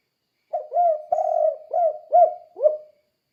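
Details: A lively spotted dove's 'kuk-kuk' cooing, meant to train other doves: a soft series of five low, rounded coos lasting about two and a half seconds, the last dropping in pitch, with a quiet background.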